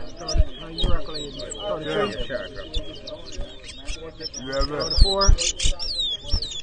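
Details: Chestnut-bellied seed finches, called towa towa, singing in a bird whistling competition at a bird ground in Edinburgh Village, Guyana, 2023. Rapid high twittering whistles and trills run throughout, mixed with men talking, low thumps and crowd noise.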